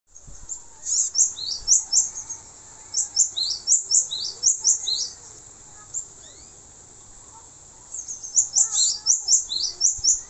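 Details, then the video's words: Male cinereous tit singing, recorded as a tutor song for training songbirds: bursts of high, sharp two-note phrases repeated rapidly, with a silent gap midway before the phrases resume. "suara glatik batu jantan buat masteran"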